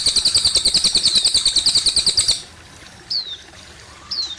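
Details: Cililin singing beside running water: a brisk, high trill of evenly spaced notes for over two seconds, followed by two separate downward-sliding whistles.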